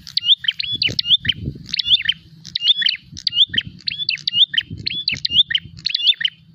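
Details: Loud prinia calls of a bird fighting and looking for a rival: quick clusters of piercing chirps and a twisting whistled note, repeated steadily about twice a second, over soft low rumbling.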